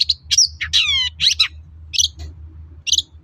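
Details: Long-tailed shrike song played to bait other shrikes into responding: several drawn-out, descending, ringing buzzes followed by a few harsh, separate scratchy notes, over a low hum.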